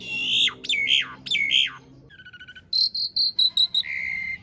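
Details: Rough-fill master of an Asian pied starling for training cage birds: three harsh rising-and-falling squawks, a soft trilled tone, then a stuttering run of high clear notes and a long level whistle.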